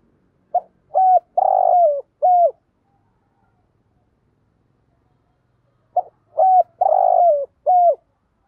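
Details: Decoy spotted dove singing 'thúc gù' coos meant to draw wild doves in: two phrases of four mellow, throaty notes, the third longest and falling, separated by a long silent pause.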